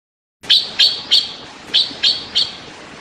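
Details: Taiwan blue magpie giving six harsh, loud chattering notes in two groups of three, each a short raspy burst about a third of a second apart, over quiet background hiss.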